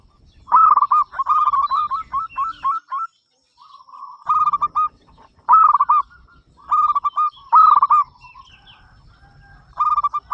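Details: Local zebra dove with a big, frequent song, meant to invite other doves to sing, repeats rapid bubbling cooing phrases roughly every one to two seconds, with brief quiet breaks.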